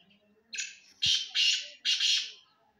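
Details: Black francolin calling: a harsh, grating phrase of four buzzy, rasping notes, a short first note followed by three longer scratchy ones in quick succession, over a quiet background.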